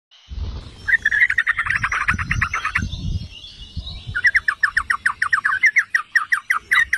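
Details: Yellow-vented bulbul song used as a lure to provoke other bulbuls into singing: rapid bubbling chatter of short notes, a pause, then a faster run of repeated notes, with low rumbling background noise.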